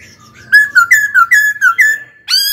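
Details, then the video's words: Kept laughingthrush in song training, delivering a quick run of about seven clear, slurred whistles at similar pitch, ending in a bright rising note. "Khướu hót cực hay, kích bổi hót ngay"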